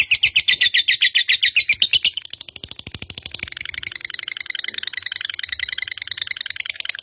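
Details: Fighter lovebird song serving as a training lure for pet birds: a couple of seconds of rhythmic harsh chirps, then a denser, faster, twittering trill that runs on to the end.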